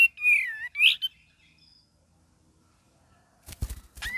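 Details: Cream-vented bulbul singing in the lively gacor and ngeriwik style, used as a lure and master recording: two bright slurred whistles and a sharp note, a long quiet gap, then a burst of clicks and another falling whistle.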